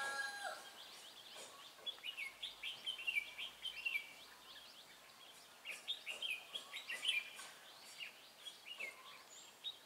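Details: Trapping with a decoy red-whiskered bulbul on 23 March 2018. Lively, rapid whistled song: short looping phrases tumble one after another for the whole stretch, loud and bright, with soft rural background noise.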